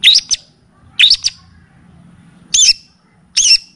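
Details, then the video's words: Long-tailed shrike singing a training recording: four separate bright, rising chirps with ringing overtones, spaced roughly a second apart against a quiet background. "Masteran dan pancingan bunyi burung cendet / pentet ‼️full kapastembak dan cililin."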